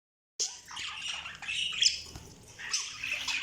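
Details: Pet budgerigar chirping: after a short silence, a dense stream of bright, scratchy warbled chirps and squeaks starts, fast and overlapping, with louder bursts near the middle and end.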